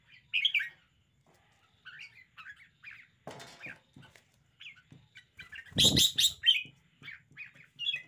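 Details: Red-whiskered bulbul showing off a lively, spirited singing display: short whistled, warbling phrases in bursts, with loud broadband knocks and rustling breaking in around the middle.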